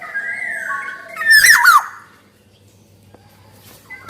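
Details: Black-naped oriole recorded as lure song: a drawn-out whistle, then one harsh rasping squawk with a twisting whistled slur, followed by near silence.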